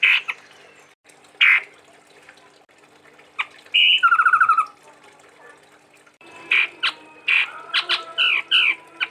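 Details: Chestnut-rumped babbler, a rare bird from Sumatra kept by songbird fans, sings a unique forest-like song: scattered sharp notes, then a rapid stuttering burst and two falling whistles, ending in a dense run of varied chirps.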